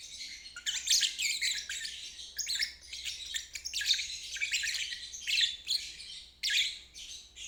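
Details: Rapid high-pitched chattering trill of a lovebird, known as ngeriwik and played to train stalled or young birds; near-continuous scratchy phrases with sharp accented notes every second or so.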